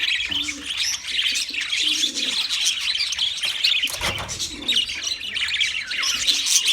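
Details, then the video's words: Many wild budgies chattering in rapid high chirps and trills throughout, with a short low coo near the start and a soft thud midway. "Wild Budgies Birds Chirping Sounds"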